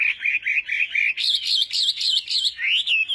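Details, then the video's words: Chinese hwamei singing in a contest setting during morning voice training, a run of loud whistled phrases repeated rapidly, then higher rising and falling warbles toward the end. "Hoạ Mi Hót Đấu /hoạ mi hót sáng luyện giọng"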